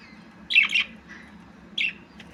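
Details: Budgie squawks: a harsh double chirp, a soft fainter note, then another short rasping call, over a steady low background hum.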